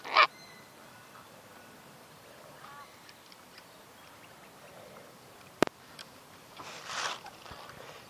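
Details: Sulphur-crested cockatoo giving one short, loud, harsh broadband screech at the very start, followed by a quiet stretch with faint distant calls, a sharp click midway and a rough noisy burst near the end.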